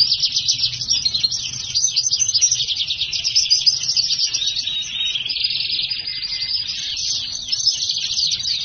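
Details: A black-hooded siskin x house finch hybrid delivering an unbroken stream of high, rapid trilled notes, buzzy and rattling, shifting slightly lower in pitch toward the end.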